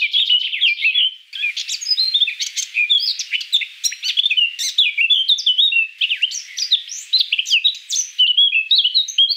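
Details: Eurasian Blackcap singing: a dense, fast warble of varied chirps, trills and short whistled notes, phrases run together almost without pause, brief gap near the start, clear of other sounds.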